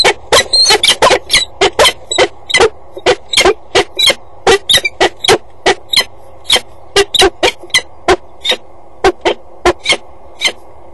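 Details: A peregrine falcon pair at a nest box on a water tower at 10:39 on 8 April 2012: one sits on the grate, the other joins but doesn't enter, then the male leaves. Harsh, grating notes, two or three a second, in uneven bursts over a low hum.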